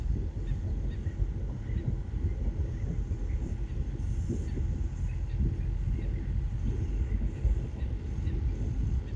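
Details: Steady low rumbling wind noise buffets the microphone throughout, with no animal calls heard.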